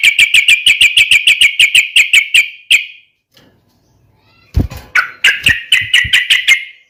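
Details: Yellow-vented bulbul in a rival-provoking fighting song: a long, rapid series of evenly repeated harsh chattering notes, a silent gap with a thump, then another fast chattering series.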